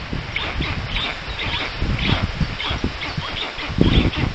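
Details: Picked up by a nest camera on a black stork nest in Poland's Puszcza Notecka forest, June 13, 2019, during a strange adult's visit to the chicks. Grating, hissing pulses repeat rapidly, with a thud and background rustling.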